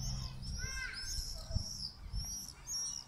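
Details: Common swifts over an old town on a summer evening, 8pm on 18 July 2017, giving their "Irr! Irr!" calls: several high, thin screaming notes overlapping in bursts, with low background rumble of traffic or wind.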